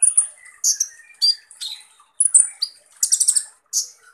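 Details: Van Hasselt's sunbird, known in East Java as kolibri ninja, delivering a coarse, energetic song of high thin whistles and rasping chattery bursts, phrases separated by short pauses, occasional lower notes underneath.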